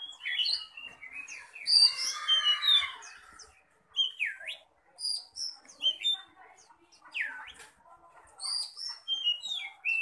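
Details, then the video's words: Oriental magpie-robin, contest-ready, singing hard while showing off: a dense, loud tangle of whistles opens, then separate notes that dive steeply and climb back, with high chips and short pauses between phrases. "KACER SIAP GANTANG, kicau ganas,ngobra"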